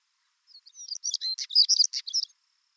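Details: Male Siberian stonechat in Siberia singing near a nearby female: a short, scratchy warbled phrase of rapid chirps and twittering notes lasting under two seconds, mostly high-pitched with a few lower dips, over a quiet background.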